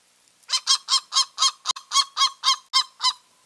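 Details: Eagle pair calling at their nest in mid-March: a rapid series of about eleven sharp, yelping notes, evenly spaced about four per second, with a single click partway through.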